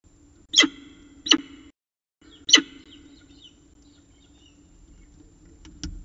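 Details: Peregrine falcon at its nest at 6:54 pm on 14 October 2019 in Orange, bringing the day's last prey; three strident, harsh calls in quick succession, then a short quiet stretch and a soft knock.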